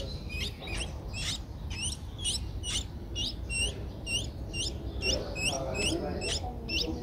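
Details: Streak-eared Bulbul chick, 11 days old, Thailand's Ubon Ratchathani province, April 2023: thin, high, hooked chirps in quick irregular bursts, about two per second, softer in places, over faint rumbling background.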